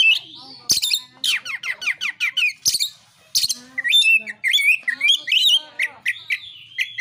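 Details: Oriental magpie-robin fighting song intended to stir rival birds to sing; dense mix of rapid downslurred whistles, harsh notes and twittering phrases, with a few sharp clicks.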